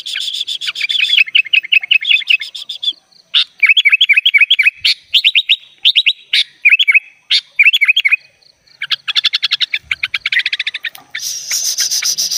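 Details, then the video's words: Sooty-headed bulbul song, described as energetic and full of varied phrases, used for training other bulbuls: bright whistled notes and rapid chattering trills around upper pitches, bursts repeated with short pauses, ending in a dense buzzy rattle. "SUARA BURUNG KUTILANG GACOR FULL ISIAN"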